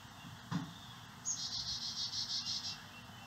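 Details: Carolina chickadees feeding their nestlings insect eggs and larvae on a native-plant property in St. Cloud, Osceola County; a rapid run of short, high, thin notes lasts about a second and a half after a soft thump.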